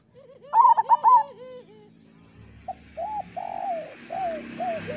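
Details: Song of local zebra doves used to train and stimulate other doves to sing: a loud burst of rapid high, rolling coos, then softer, lower, evenly spaced cooing notes over faint background hiss.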